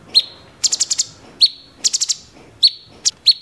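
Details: Sooty-headed bulbul singing tembakan: isolated sharp chips with a short ringing tail interspersed with rapid bursts of four to five staccato high notes, repeated at irregular intervals.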